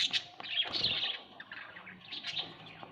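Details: Several budgerigars kept at home give dense, scratchy chirps and warbles, with brief sharp peaks and some quieter stretches in between.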